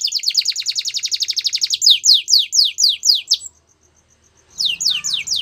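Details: Belgian canary singing a rapid, even trill of about twenty high sweeping notes. It shifts into slower, louder descending slurred notes, then falls silent for a second before resuming with more high sweeps.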